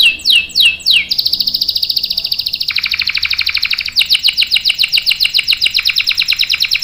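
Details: Canary singing its long roll, a lure and tutor for young birds: three descending sweeps open into an extended, buzzy, steady roll, followed by brisk, rattling, repeated notes.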